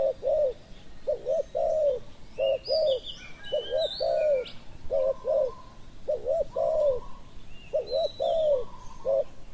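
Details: Decoy spotted dove calling to draw in wild doves: steady series of low, rounded double-hump coos about every two seconds, with thin whistles and chirps from other birds above.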